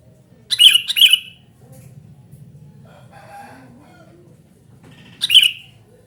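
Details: Sooty-headed bulbul calling busily. Two quick bright phrases come early, then a pause with faint murmuring, and one more short bubbly phrase near the end.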